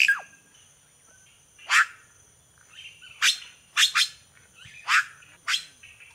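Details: Red-rumped cacique song made of irregularly spaced sharp chack notes, some in close pairs, with faint squeaky notes between them.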